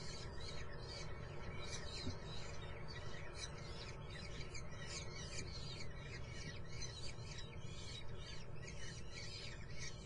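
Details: Common kestrel young in their nursery at Muttenz, giving dense, overlapping raspy chitters and squeals that repeat almost without pause across the whole stretch, above a steady low rumble.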